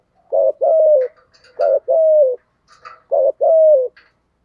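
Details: Thổ-voice spotted dove coo: three quick phrases, each a short clipped note and a longer hoot sliding gently downward, with faint higher chirps from another bird in between.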